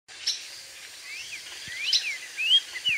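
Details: A black-faced tanager singing in the wild gives thin, quick, slurred whistles, rising and falling, in short bursts about every half second, over a steady background hiss.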